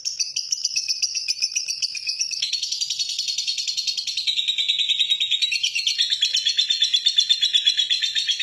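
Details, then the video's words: Lovebird delivers a long ngekek in a relaxed style, a lure to set other lovebirds singing. A sustained, rapid, high chattering trill runs for over eight seconds and slides gradually lower in pitch. "PANCINGAN LOVEBIRD NGEKEK PANJANG SUARA ASLI"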